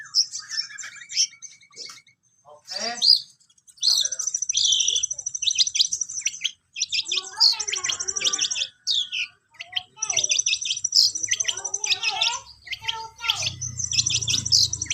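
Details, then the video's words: Long-tailed shrike learning its song: long scratchy, rattling phrases of high notes mixed with sliding whistles and harsh chatter, broken by short silences, with a low rumble near the end. "BELAJAR MAEN, BURUNG CENDET"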